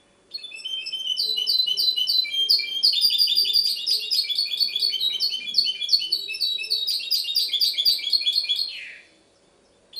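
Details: Goldfinch hybrid from Ksar el Kebir, Morocco, singing a long, continuous high song of rapid twittering trills and bright metallic notes, about eight seconds of unbroken phrases ending in a downward slurred note. Background is quiet.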